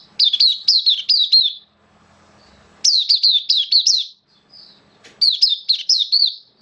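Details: Oriental white-eye (mata puteh), a hobby songbird in slightly dipped form, recorded 11 September 2022: three bursts of rapid, high, wavering chirped notes, each about a second and a half long, separated by short quiet gaps with faint low hum.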